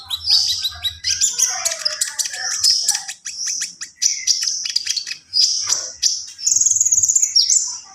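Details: Javan pied starling singing gacor with full isian: a long rapid flow of high whistles, clicks and squeaky warbled notes, ending in quick repeated chirping and a drawn-out shrill whistle.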